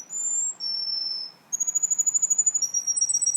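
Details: Russian canary singing long, pure, high whistled notes that hold steady, then shift to a fast rippling trill with sharp repeated pulses.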